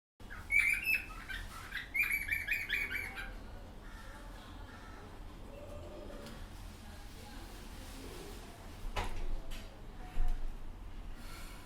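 A cockatiel gives bright, warbling chirps in two quick bursts as a courtship call to a female.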